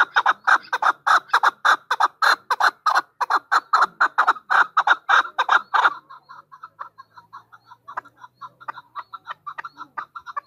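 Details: A female chukar partridge calling: about six seconds of loud, rapid, harsh chucking notes, followed by a quieter run of quick, soft clucking notes.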